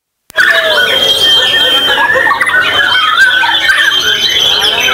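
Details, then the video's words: White-rumped shama (murai batu), king class, competing in a 2024 bird-singing contest at a mall in Tegal, Central Java, Indonesia, placing second; continuous dense song of varied whistles, chattering rattles and sustained high clear notes, delivered loudly without pause. "DURASI MATERI LAGU GAK BISA DI RAGUKAN ' MURAI BATU KING MEWAH"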